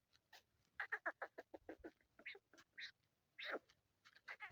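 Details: Black francolin calling, recorded on the 18th at 7:22, giving a harsh, grating run of rapid clipped notes, then a few longer rasping phrases, over near-silent surroundings.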